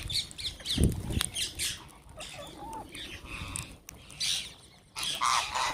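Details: Wild green parrots at a feeding, giving scattered raspy squawks and brief chirps, with a low knock early on and a loud screechy burst toward the end.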